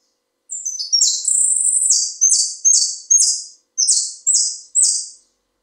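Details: Argentine saffron finch of the Buenos Aires type singing: a series of high, buzzy, slurred notes, several linked at the start, then about five separate rasping phrases each falling away in loudness, with short pauses between them.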